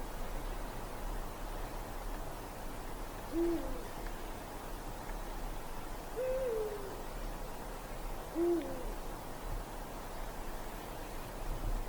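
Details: Eurasian eagle-owl hooting in a dark forest on a winter night: three deep single hoots spaced a few seconds apart, the middle one slightly higher and falling, over a steady low background hiss.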